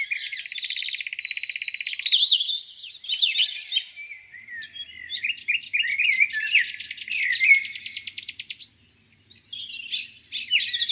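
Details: Spring morning lakeside birdsong with a rapid buzzy trill, steep downward-sweeping whistles, and bursts of fast rattling trills among scattered high chirps, several birds singing together.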